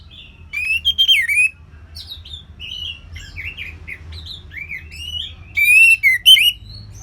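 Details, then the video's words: Orange-headed thrush singing a varied ngeplong-style song of rapid slurred whistles rising and falling, with brief high chirps between phrases and a run of sharp repeated notes near the end. "ANIS MERAH Ngeplong Lemas"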